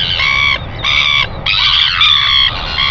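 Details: Northern royal albatross (Diomedea sanfordi) on a nest cam at 5:57 a.m. on 25 December 2019, giving four harsh, nasal, braying calls about half a second each with brief pauses, over low wind rumble.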